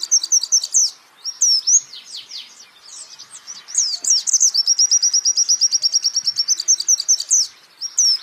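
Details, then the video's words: Lively white-eye (pleci) song meant for training songbirds, mixing jumbled high whistles and slurred notes with a long, rapid chattering trill of evenly spaced chirps near the end. "pleci Jawara Pake Masteran ini jamin Geter-GETER!!!!!"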